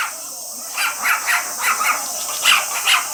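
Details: A male cockatiel chirps while its female companion is misted with water for her bath. After a quiet start, a run of short, bright chirps comes about three per second over a constant hissing background.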